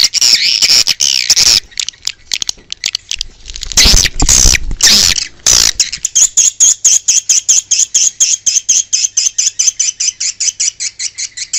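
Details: Swiftlets calling outdoors, as sound used to attract them: jumbled high buzzy chirps at first, then a steady series of quick sharp clicking notes, about two each second.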